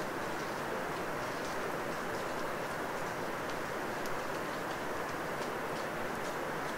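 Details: Steady dripping and pattering in a forest at night after rain, with a constant broadband hiss and scattered sharp drops, and no clear animal calls.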